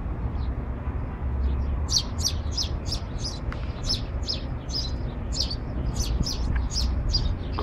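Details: Male house sparrow giving a lively run of about fifteen sharp, high chirps in quick succession, some doubled, over a steady low rumbling hum.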